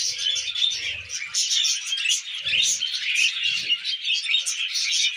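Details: Budgerigars kept as tame pets chatter over millet: a steady wash of quick high chirps and grating warbles from several birds, with a few soft low bumps.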